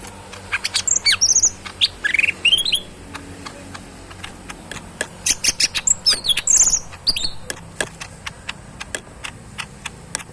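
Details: Captive, tame cucak ijo mini leafbird singing in two bursts of slurred high whistles and chips, separated by a stretch of soft, dry ticking clicks.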